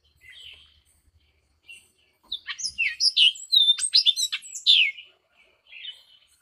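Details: Hispaniolan oriole from Hispaniola, between the Dominican Republic and Haiti, giving a rapid burst of varied whistles, chips and slurred notes, dense in the middle and trailing into softer calls; quiet before and after.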